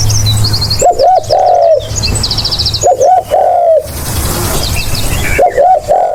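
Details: Spotted dove used as a lure, giving loud, mellow cooing phrases of two quick notes and a longer drawn coo, repeated about every two seconds, with high chirping birds behind.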